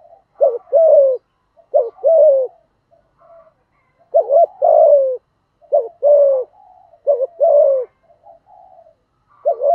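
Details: Spotted dove acting as a lure to provoke wild doves, voice style thổ thúc gù: a long run of paired cooing phrases, brief note then sustained falling coo, roughly every second or two, quiet otherwise.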